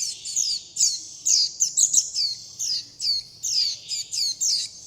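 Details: Young Warbling white-eyes calling to their mother and flock, begging for food: about thirteen sharp, very high, downward-slurred chips, some doubled, in irregular quick bursts over a quiet background.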